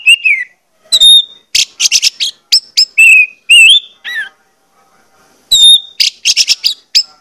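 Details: Orange-headed thrush lure song, played to get birds singing actively: loud, varied whistled phrases with rising and falling slurs and quick chirp bursts, split by short pauses, with a longer quiet gap before the phrases resume.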